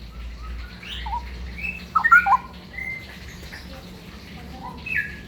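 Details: Straw-headed bulbul singing in the ropel style: scattered short whistled notes, some sliding up or down, with a louder cluster of rich notes midway and another at the end, over a low steady hum.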